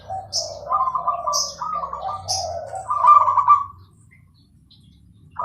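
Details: Zebra dove (perkutut Bangkok) in clear song: low coos leading into rising trilled phrases, loudest near three seconds, then silence; small birds chirp high above.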